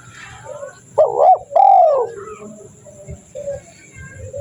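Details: Spotted dove calling, used as a lure for wild doves: two loud, mellow coo notes close together, the second longer and gently falling, with faint background noise afterward.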